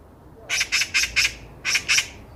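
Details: Eurasian magpie chattering on a walking path: four quick scratchy notes, a brief gap, then two more, all harsh and broadband.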